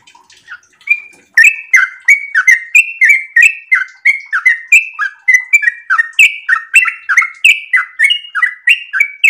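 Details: Sooty-headed bulbul, in breeding condition, giving super-long 'ropel' song used for luring and tutoring birds: soft hesitant notes at first, then a loud, continuous rapid stream of bright, bouncing whistled notes at an even pace.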